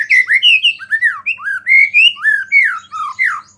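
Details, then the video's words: White-rumped shama song aimed at provoking other shamas: a rapid chain of loud, clear whistled slurs, each rising then falling, about three per second, rich and fluty with almost no background. "MURAI BATU GACOR ISIAN BURUNG KECIL"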